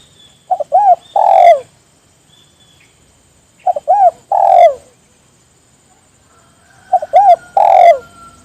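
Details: Spotted dove call meant to draw others into calling: three phrases roughly every three seconds, each quick clipped notes, an arched hoot and a drawn-out descending coo; faint high whine in background.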